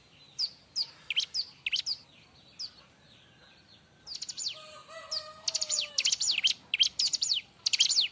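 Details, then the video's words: Bar-winged prinia singing loudly and busily: spaced sharp chirps at first, then a dense rapid run of high down-slurred notes. A few faint steady lower tones sound midway. "suara r!but burung ciblek-cocok untuk masteran"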